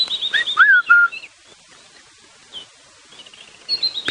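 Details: Red-chested Cuckoo giving loud, clear whistled notes that drop in pitch, echoing down drainage lines, with thin high chirps from the dawn chorus; Djuma Game Reserve, South Africa, morning safari drive, 11 December 2015.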